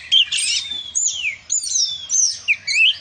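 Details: Oriental magpie-robin in loud, energetic song: clear whistled phrases with long sweeping and falling slurs, broken by short pauses, with bright high notes throughout.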